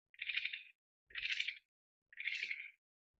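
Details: Australasian grass owl, Taiwan endemic subspecies Tyto longimembris pithecops, a rare resident of lowland fields: three harsh, breathy hissing bursts, each about half a second long, repeated roughly once a second against a quiet background.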